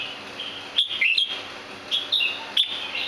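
A jambul gives short, sharp whistled chirps, singly and in quick pairs, spaced under a second apart, over a steady high background hiss.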